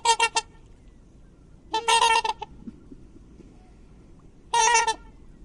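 A swan gives nasal, trumpeting honks in three short bursts a couple of seconds apart, some doubled or stuttered, over a quiet background.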